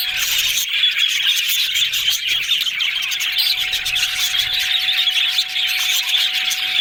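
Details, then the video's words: Happy yellow parakeets in full chatter: rapid overlapping chirps, squeaks and warbles from a group, with clicking bursts and a faint constant hum underneath. "Yellow Budgies Talking Sounds Happy"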